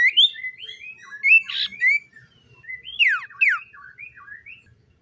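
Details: Common iora singing in the morning, a run of short rising and falling whistled notes with a couple of sharp downslurred accents, fairly loud and busy.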